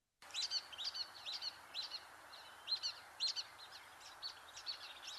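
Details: Brown-headed Nuthatch giving its main call, quick, squeaky two- and three-note "we do" or "potato" notes like a dog toy, repeated several times a second, high-pitched over faint background hiss.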